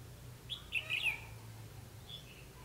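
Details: Red-whiskered bulbul decoy singing during trapping, a short burst of bright warbled notes near the start followed by a fainter phrase, over a low steady hum.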